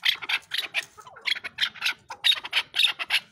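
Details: Chukar partridge producing coarse, raspy chucking notes in quick bunches, a brief softer gap in the middle, then a renewed loud burst of rapid notes.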